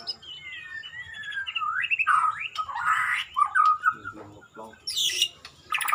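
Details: White-rumped shama (murai), gaya sujud style, delivering a varied song of sliding whistles, harsh squawking bursts and buzzy notes, followed by a high scratchy flourish near the end.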